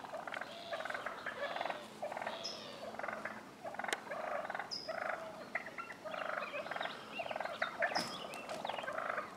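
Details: Worked-up wild turkey toms near a fight in a California town yard; bursts of rattling gobbles recur every second or two, with occasional short high squeaks and a click.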